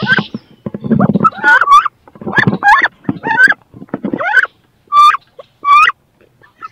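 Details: Two female wood ducks fighting over a nest box where both want to lay give thin, rising squealed calls, several in quick succession then two spaced apart, over scuffling and rustling at the start.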